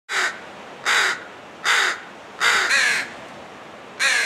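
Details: Crows protecting a fledgling give harsh, raspy caws, five loud calls spaced under a second apart, each short and grating.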